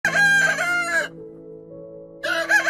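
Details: Rooster crowing in two bursts, loud, hoarse and harmonic-rich, separated by a pause in which steady sustained music tones carry on underneath.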